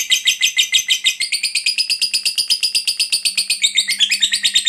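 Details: Fighter lovebird giving a long ngekek chatter, played to prompt silent lovebirds to sing: a rapid, unbroken stream of shrill, scratchy pulses, about two per second in loudness swells, rising slightly in pitch toward the end.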